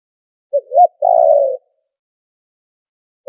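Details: Spotted dove lure call for trapping, a noise-filtered recording: a short low coo, a rising-falling note, then a long steady purring croo, all low and mellow, one phrase in clean silence with the next just beginning.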